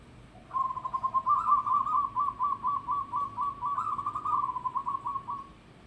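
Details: Local zebra dove with a loud voice: one long run of rapid, rolling cooing notes near one pitch, pulsing about twice a second for roughly five seconds, with a slight lift midway, over a low background hum.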